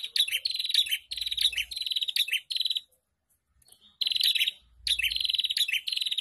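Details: Ombyokan chorus of prinias played to get caged prinias singing. Strident rapid-fire trills stack in a busy run, pause for about a second, then return in another burst of sharp ticking phrases.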